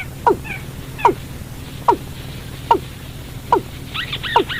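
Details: Watercock calls used as a lure for trapping birds at night: loud, hollow downward-sliding notes, evenly repeated about every 0.8 seconds, with faint higher chattering notes near the end over a low steady hum.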